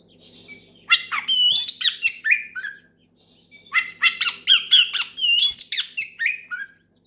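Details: Oriental magpie-robin singing hard in the ngeplong style, challenging a rival and provoking other magpie-robins to join in. Two long phrases of rapid, jumbled whistles, slurred rising notes and harsh squawky elements are split by a short gap.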